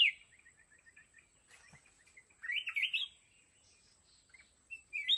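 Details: Wild mountain red-whiskered bulbul at a fighting trap, giving a loud warbled opening note, a run of soft chirps, then a bright rolling phrase near the middle and another at the end, over a constant high electronic whine.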